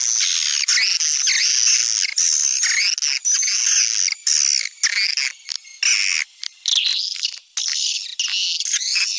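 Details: Swiftlets give a calling sound popular in Sumatra: a dense, continuous stream of high, buzzy chirps and twitters, with notes overlapping in rapid bursts and brief gaps and no other sounds.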